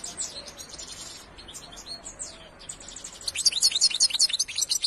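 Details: European goldfinch twittering, starting with softer, scattered high chirps and building into a loud, rapid series of bright, tinkling notes toward the end.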